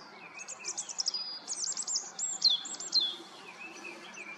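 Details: White-throated dipper feeding its young in the Eifel; the young give rapid, high, thin chirps and sharp buzzy notes, about two a second, over the steady rush of running water.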